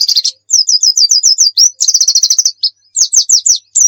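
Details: Oriental white-eye in full song as a tutor for other birds, delivering quick runs of repeated high whistled notes, a buzzy chattering stretch, then downslurred sweeping chirps.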